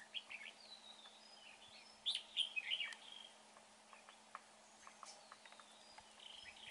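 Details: Red-whiskered bulbul, in a trapping setting, gives a brief bubbly phrase of warbled, inflected notes near the middle; scattered faint chirps and ticks sound throughout against a steady background hiss.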